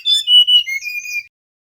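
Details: Male mangrove whistler song used as a lure: a smooth whistled phrase that drops from a higher note to a lower, steady one, with faint higher overtones.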